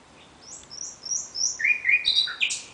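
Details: Night song of a common nightingale: a row of short, high, descending whistled notes, then lower, buzzy, rapidly repeated notes and a sharp final flourish.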